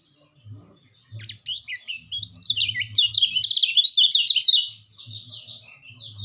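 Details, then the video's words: Kecial kuning white-eye singing as a tutor and lure recording: fast, high, jumbled twittering of rising and falling slurred notes that builds in strength mid-phrase, with a faint low thumping in the background. "masteran terbaik burung kecialkuning"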